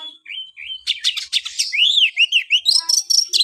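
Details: White-rumped shama sings a soft whistled opening, then rapid buzzy bursts and arching whistled notes, ending in a harsh rattling series.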